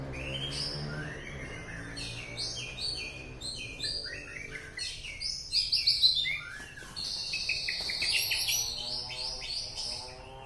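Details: Murai batu (white-rumped shama) at Alue Ie Mirah, East Aceh, delivers a dense, fast stream of varied chirps, trills and high whistles, rising in loudness toward the middle, with a faint low hum beneath.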